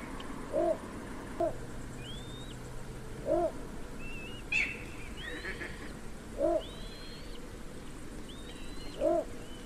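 A little bittern gives short, deep, barking croaks, one every one to three seconds. Thin whistled notes from other birds sound above it.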